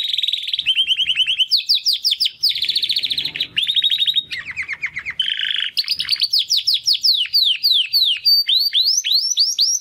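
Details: Timbrado canary, one of two young brothers hatched in 2020, making first song attempts after first molt: varied fast trills and rolls shifting pitch, then long series of repeated down-slurred sweeping notes.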